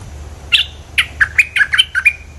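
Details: Bulbul calling on a recording made to lure birds: a quick series of about eight short, bright chirping notes, each dipping or sliding, loud and clear over a quiet low hum.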